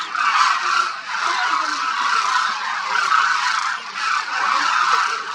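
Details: Demoiselle Cranes by the thousands at Khichan Bird Sanctuary near Phalodi, Rajasthan, India, in winter; loud overlapping trumpeting calls swelling and easing in waves roughly every second or so, a dense unbroken clamour.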